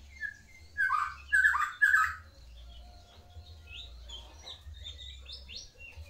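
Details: White-rumped shama of the Medan variety singing its full song: three loud rich whistled phrases in quick succession, then softer high sliding notes and short chips continuing behind.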